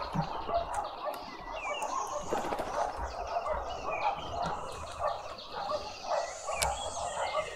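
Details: Juvenile green woodhoopoe in a suburban garden with a bird feeder in Pretoria, South Africa; a dense, rolling cackle of rapid low chattering notes runs throughout, with thin higher whistles from other birds above.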